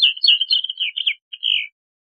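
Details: Bluethroat (Luscinia svecica) singing a fast run of buzzy high twittering notes, then a short pause and one drawn-out slurred note.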